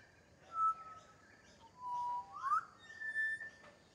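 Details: Pied butcherbird singing in a garden bird sanctuary: sequence of pure, sustained whistles at different pitches, one rising slur in the middle, separated by short pauses, quiet background.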